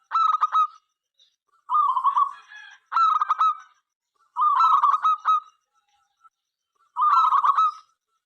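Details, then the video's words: Zebra dove, a local bird singing freely, calls to make other doves sing. Five phrases of staccato, nasal cooing with rich overtones, spaced about one to two seconds apart. "perkutut lokal gacor suara MENGGODA apapun jenisnya 5 detik nyaut."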